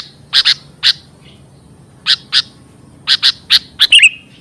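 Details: Sooty-headed bulbul lure call used for trapping and training birds: short harsh, broadband chattering notes, mostly in quick pairs with gaps of about a second, ending in a brief whistled note. Quiet background.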